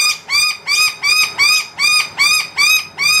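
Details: One of a wild noisy miner family with two young, indoors and clamouring for food at an empty feeder. Loud, rich, arched notes with many overtones repeat steadily, about two and a half each second.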